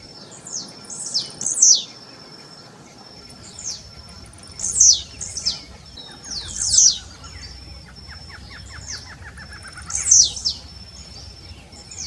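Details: Blue-black grassquit singing: short, sharp, high notes sweeping downward, given in small bursts every one to three seconds, over a steady high continuous tone, with a softer descending series of notes from another bird in the background.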